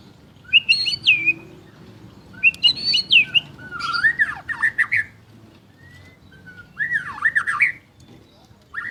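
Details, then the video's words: White-rumped shama, a champion songbird, singing repeated high whistled phrases followed by lower twisting warbles, in bursts separated by short silences, with a faint low hum behind. "Murai Batu Gacor Juara: Kicauan Penuh Gaya dan Energi"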